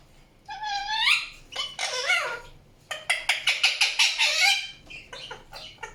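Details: Indian ringneck parakeet giving a rising harmonic call, a burst of harsh chatter, then about nine quick, sharp chirps in fast succession, followed by softer scattered notes.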